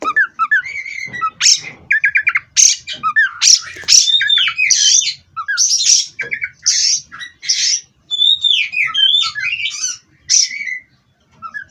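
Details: Captive-bred Oriental magpie-robin singing a therapy song meant to keep birds steady on the perch: bursts of rasping, squawky notes alternate with clear whistled slurs and trills, phrases separated by short silences.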